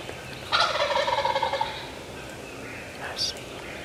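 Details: Adult male longbeard Wild Turkey gobbling at five yards on April 14, 2024, in spring turkey season, also spitting and drumming: one loud, fast, rattling gobble lasting about a second, followed by quiet and a brief high call near the end.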